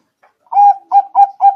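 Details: Zebra dove lure call for trapping: four short, rounded coo notes, each with a brief trailing tail, spaced about a third of a second apart.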